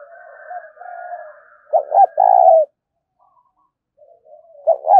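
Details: Spotted dove cooing in the 'thúc' style. Quiet, hollow coos with faint higher overtones lead into a loud stuttered double note and a sustained full coo. After a pause, soft coos return and end in another abrupt double note.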